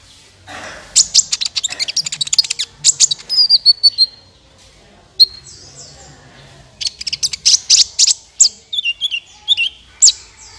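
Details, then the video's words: Sunbird known locally as kolibri ninja, recorded as a trapping lure: quick high twitters and sharp tweets in two busy bursts separated by a short gap with a single clear note. "SUARA PIKAT BURUNG KOLIBRI NINJA"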